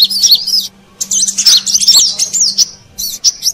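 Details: Lure recording of a brown-throated sunbird for attracting wild birds: bursts of high, sharp chirps and quick slurred whistles separated by brief gaps, over a faint low hum.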